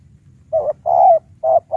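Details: High-pitched decoy spotted dove used to provoke wild doves: a brief run of rounded cooing notes, one short, one long and drawn out, then two more short coos in quick succession.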